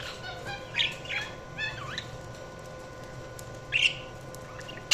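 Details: Budgerigars chirping: scattered short squawky and warbled notes, some rising and falling sweeps, with quiet gaps between bursts over a steady low hum.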